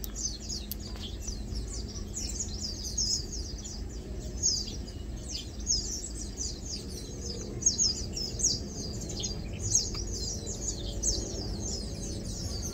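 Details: A flock of lowland white-eyes, feeding and preening, keeps up a continuous chatter of very high, thin downslurred chirps, a few louder notes standing out, above low background rumble.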